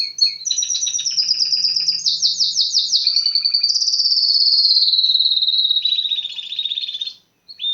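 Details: Canary singing a long, varied phrase of rolling trills and swooping slurred notes that merge into a smooth sustained trill, with a brief buzzy segment near the end.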